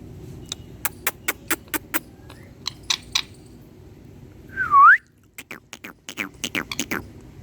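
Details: Green hand-tame Indian ringneck parakeet talking to a mirror gives a rising whistled squawk between bursts of sharp clicks and taps; low hum underneath. Rose-ringed parakeet.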